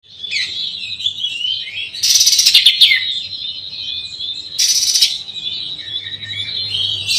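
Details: Oriental magpie-robin singing to provoke rival birds: a continuous, fast, high warbling stream of varied chirps and trills, with two loud, harsh, rasping bursts breaking in at about two and five seconds.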